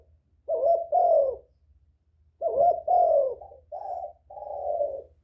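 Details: Spotted dove giving its luring call: two phrases of mellow, hollow coos, the second one longer, ending in two sustained, slightly falling notes.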